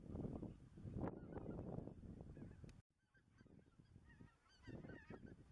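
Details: Spring-moon recording of greater white-fronted geese, Dannenberger Marsch, 25 March 2013: loud low rumbling noise at first, then after a brief gap a chorus of thin, yelping, upward-inflected goose calls, several birds overlapping.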